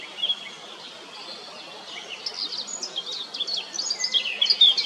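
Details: ['Blackcap song: a quiet first couple of seconds, then a fast, lively warble of clear whistles and twittering notes that grows louder toward the end, over steady background hiss.']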